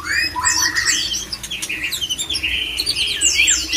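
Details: Male white-rumped shama pouring out a mating song that urges other shamas toward breeding: stacked bright whistles and warbles, quick pulsing notes through the middle, ending in high twisting sweeps.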